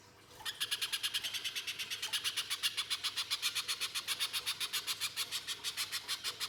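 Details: Lure song of the little spiderhunter (pijantung pisang) in energetic full voice: a long, steady train of shrill, harsh high notes, about four per second, continuing unbroken for six seconds over a quiet background hiss.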